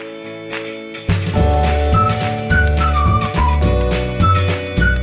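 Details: Only music is heard: sustained low tones and harmonies with a light, flute-like melody drifting above, and no animal calls.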